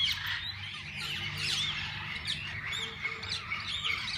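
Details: Assorted parakeets in a walk-in parrot-zoo aviary, fed and handled by visitors; lively overlapping chirps and tweets from many birds, short whistled slurs standing out, steady low background hum.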